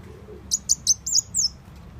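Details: Sunbird call played to lure birds: five short, high-pitched chirps in quick succession, the last one longer and sliding downward.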